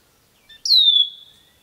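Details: One ruby-throated hummingbird squeak during a fight at feeders, recorded with a RODE mic: a soft short tick, then a loud, thin, very high note that slides down and fades out.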